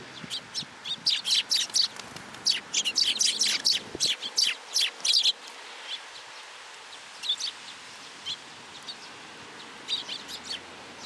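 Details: A flock of sparrows gathers to be fed at a Tenmangu shrine on 10 July 2022. A dense run of shrill, rapid chirps lasts about five seconds, followed by a brief pause and then sparser chirping.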